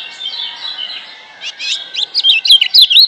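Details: Master song of a wild-caught Lemon-bellied white-eye from Lombok for coaxing silent birds: a soft, thin twitter at first, then quick high chirps that grow louder and faster into a rapid jumbled warble.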